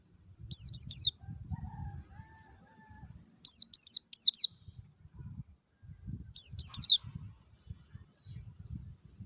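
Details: Pleci ngalas, a white-eye, singing a clear lure song used to prompt caged birds to open their beaks and sing: bright, high, sharply falling three-note bursts every three seconds over a low rumbling background.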